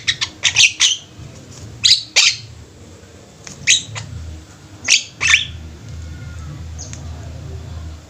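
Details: Javan myna in a flock, kept birds. Scattered harsh, broadband squawks and chatters in short bursts of two or three, separated by quiet gaps, over a steady low hum.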